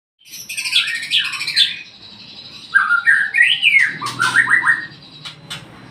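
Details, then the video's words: Home-kept magpie-robin giving a morning lure song: rich varied phrases of sliding whistles and chattering notes, rising and falling, delivered in quick bursts with short pauses, over a faint low hum. "Pancingan Burung murai PASTOL"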